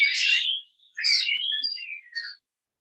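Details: Introduced, naturalized common starling (Sturnus vulgaris) in New York City: a harsh, hissing rasp, then a chaotic jumble of slurred whistles and squeaky notes in rapid succession, possibly more than one bird calling at once.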